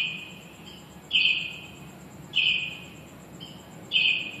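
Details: Shop-nesting finches caught on a phone recording: short buzzy phrases recurring at irregular intervals of one to two seconds, with a constant high-pitched whine underneath.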